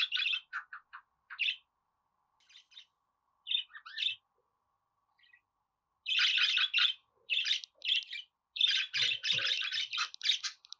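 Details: Budgerigar warbling in dense, rapid runs of scratchy chirps that break into longer continuous chatter toward the end, with occasional low knocks.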